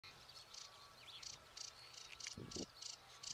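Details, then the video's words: Sedge warbler (Acrocephalus schoenobaenus) in reeds at St Fittick's Community Park, Torry: noisy, scratchy, high-pitched buzzy bursts repeated about twice a second, with a few soft low thumps partway through. "Noisy sedge warbler Acrocephalus schoenobaenus in the reeds"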